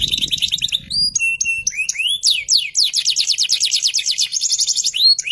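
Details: Song of an FFYS canary: a buzzy trill opening into ringing whistled notes and upward glides, then a long run of rapid sweeping notes and a high rattling roll.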